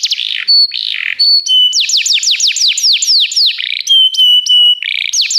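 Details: Canary song used as a training recording for canaries: loud high whistled notes, rapid descending sweeps repeated in a fast series, with steady trills and bell-like tones between them.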